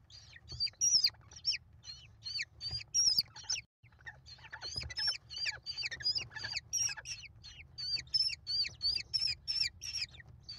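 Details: Five American kestrel chicks at a nest box on a live cam, being fed by their mother on 28 May 2021: a dense, continuous chorus of high, harsh, rapidly repeated chittering notes in bursts, with brief pauses, from the growing young.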